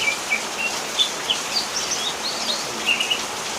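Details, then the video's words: Greater green leafbird from Banyuwangi singing in the rain: scattered high, bright whistled chirps and short slurred notes spread through the clip, over a steady hiss of rainfall. "Kocehan cucak hijau ketika hujan"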